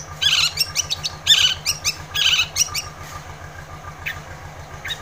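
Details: Long-tailed shrike, a bird played to stir a reluctant shrike into song, pouring out three dense scratchy chattering bursts, then quieter single notes, with a low hum behind.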